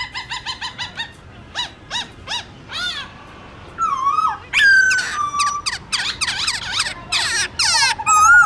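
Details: A black-throated laughingthrush gives its morning forest-style song, "giọng rừng". It opens with rapid repeated harmonic notes, then loud varied whistles, swooping slides and rich rising phrases that grow louder toward the end.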